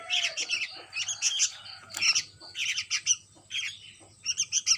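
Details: Begging sooty-headed bulbul chick uttering raspy high chirps in groups of three or four, with short gaps between groups.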